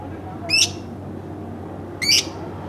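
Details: Lovebird kept at home calling with two short harsh layered chirps about one and a half seconds apart, a faint hum behind.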